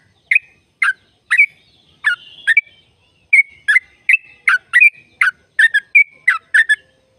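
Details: Sooty-headed bulbul singing a long trill 'ropel' used to make caged birds sing; lively, liquid chirps delivered in short clusters, a brief pause mid-way, then a faster run of bright warbled notes.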